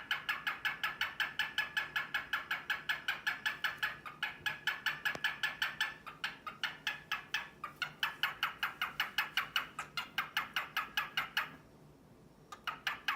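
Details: Grey male cockatiel courting a sleepy white female in captivity, giving a long run of rapid, harsh, breathy pulses, roughly two to three per second, in steady bursts with a short pause near the end.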